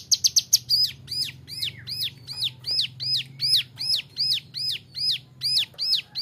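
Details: Bar-winged Prinia, a young male, in a training song for other birds: it opens with a quick burst of high ticks, then settles into loud arched chirps repeated a little over twice a second, each with a bright overtone.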